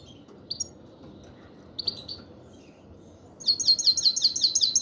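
A European goldfinch gives a few scattered high tinkling notes, then a fast run of bright, liquid twittering chirps near the end over a faint low background hum.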